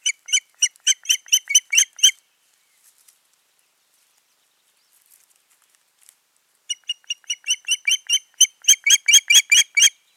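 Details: An osprey pair at a Finnish nest on 14 June 2019, after that season's nesting failed, gives rapid series of sharp, high whistled chirps, about a dozen notes in two seconds, then a pause before another longer, building run.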